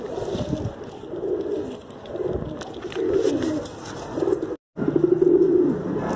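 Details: Pigeons cooing in a series of low, throaty, rolling coos that overlap and run together, with a brief cut of silence near the end and a faint steady hum in the background.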